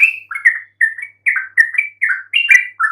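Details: Yellow-vented bulbul song used as a lure to make silent bulbuls answer: quick bubbly chirping phrases, each note sliding up or down, delivered in a steady run of short bursts with brief gaps, clean background.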